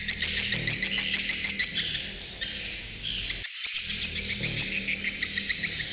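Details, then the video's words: Flock-calling swiftlets on an outdoor lure track: rapid rhythmic ticking chirps over a hissing high twitter, a short gap midway, then the pulsing chirps resume. "ÂM THANH DỤ CHIM YẾN NGOÀI TRỜI CHUẨN"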